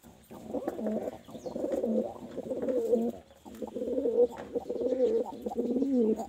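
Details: Pigeon cooing in a small room, two long runs of low, rolling, throaty coos with a brief pause between them.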